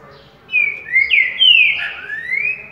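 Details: Green-winged saltator singing the currucutil boi style at waking: a loud whistled phrase of several slurred notes, dipping and rising, with a final long upward sweep.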